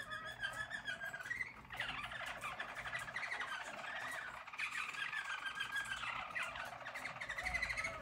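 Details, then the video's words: Singing from yellow Harz German Roller canaries of a 2022 team: a dense, continuous rolling warble with fast pulsing trills and several upward slurred whistles throughout. "Harz German Roller Canary singing"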